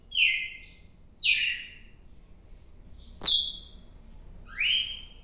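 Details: Red-cowled cardinal, 4 December 2023 recording: four loud whistled phrases, each a quick downward slur ending in a steady tone, spaced about a second apart, with one click heard alongside the third note.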